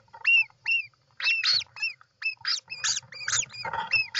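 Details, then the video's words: European roller at the nest, 29 June 2024, giving a rapid mix of squawking rasps and short, bent, whistled notes, the harsh calls growing denser toward the end. "European Roller Nest"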